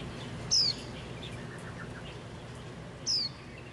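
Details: Wild white-eye, a parent caring for its young until they can fly: two thin, high whistled notes sliding downward, about two and a half seconds apart, over steady outdoor background noise.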